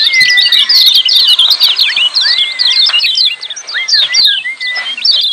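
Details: Loud, busy ciak calling of lemon-bellied white-eyes, played to lure mute birds into calling. Bursts of rapid, sharp chirps alternate with short arching whistles, easing briefly after the middle.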